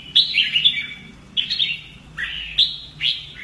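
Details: Red-whiskered bulbul in fighting-song training, singing bright warbled phrases, rising and falling quickly, repeated about every second, over a steady low hum.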